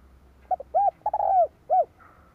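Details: Spotted dove used as a caged decoy, calling to lure wild birds: a phrase of short low coos, then a long drawn, falling coo and a final rounded note, clear against faint low hum.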